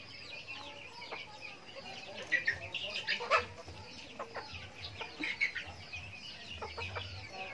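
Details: Backyard farm chickens during their daily feeding routine; steady murmur of clucks and chirps from several birds, a louder harsh call midway, and some wing flapping.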